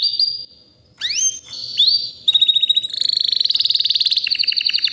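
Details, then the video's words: Varied song of a white canary around three years old: sweeping upward whistles and held tones, then a long, very rapid metallic trill building in loudness. "BEAUTIFUL WHITE CANARY NON STOP POWERFUL SINGING"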